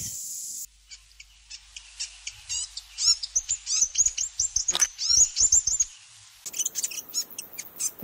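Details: New Zealand fantail (piwakawaka, Rhipidura fuliginosa), indigenous to New Zealand, song: a rapid run of thin, very high squeaky chips and twitters, several per second, with bursts of hiss at start and end.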